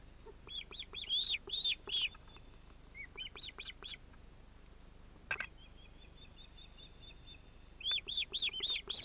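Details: Nest-cam ospreys, adult male and female with two chicks, 31 July 2018. Loud runs of piercing arched whistles open and close the recording, with a thin drawn-out whining note and a sharp knock in between.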